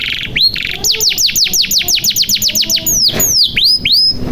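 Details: Canary in full continuous song, played as a lure to get silent or young canaries singing: rapid series of bright downward-swept whistles repeated about six times a second, then a few longer slurred notes, dense and loud.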